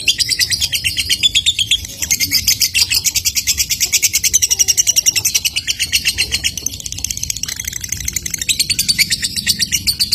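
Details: Long unbroken ngekek from a lovebird, dense and very fast shrill chattering notes pouring out continuously for about ten seconds, the kind of sustained chatter meant to make other lovebirds chime in.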